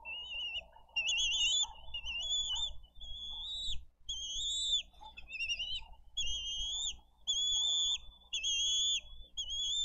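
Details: Bald eagle chick begging for food at a Dade County nest, April 20, 2023: loud, drawn-out, high whistled squeals with trilled, wavering tops, given roughly once a second with short gaps.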